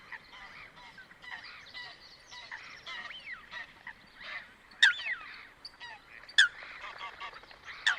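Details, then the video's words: Coot calls from a natural wetland: a busy mix of nasal, warbling and gliding bird notes, ending with three loud, abrupt, explosive calls spaced about 1.5 seconds apart. "Coot Bird Sound | Real Calls of the Wetland Water Bird"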